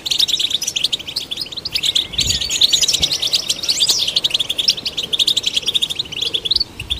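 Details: Sustained European goldfinch song for stimulating goldfinches: busy, bright twittering with trills and an occasional drawn-out slurred note, ongoing for the whole stretch.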